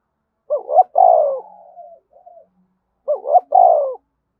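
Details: Two clear spotted dove phrases in the spirited 'thúc bổi' style meant to make doves coo, each a brisk rising two-note start sliding into a longer mellow falling coo, with a soft trailing note after the first.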